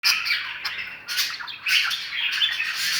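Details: Budgerigar calling, a busy run of high squawky chirps and warbling chatter that overlap with little pause, with a few brief gaps of quieter sound between bursts.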